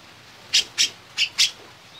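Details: Black-crested bulbul (cucak jenggot), a popular competition songbird, giving four short sharp chirps in quick succession within a second, clear against a quiet background.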